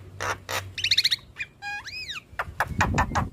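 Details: Black-winged starling in lively song with nodding: harsh bursts, a quick wavering trill, then an arched whistled note and more rasping chatter.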